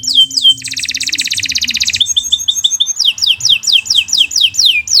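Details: Canary giving a long, fast song: high-pitched chirps, then a rapid buzzing trill, shifting into quick repeated downward-sweeping whistled notes, bright and continuous throughout.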